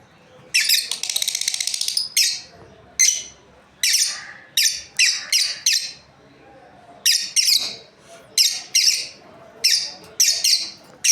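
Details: Pet lovebird breeding pair chirping: a fast buzzy rattling trill opens, followed by many harsh, shrill chirps in irregular clusters, dense and excited at times.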